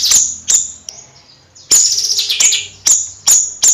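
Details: Bayeman singing in the gacor, nyrecet style: sharp, very high chirps with falling strokes, delivered in short bursts separated by brief pauses.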